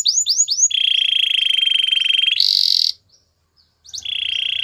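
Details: Singing canary used for training: three rapid downslurred whistles, then a long pulsed rolling trill, a short harsh burst, a brief silence, and the trill starting again.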